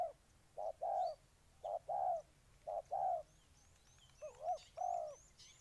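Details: Spotted dove in Ninh Thuận, Vietnam, giving paired coos, each a short note then a longer rounded one, in an uneven series. The final phrase breaks into a quick double note. Faint high chirping from another bird sounds in the background.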